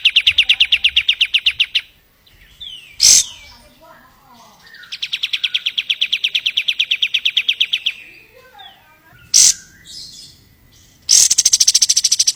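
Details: White-eye master song in the rapid-fire style: long fast trills of evenly repeated high notes lasting about two to three seconds, separated by short sharp clicks and quieter twittering.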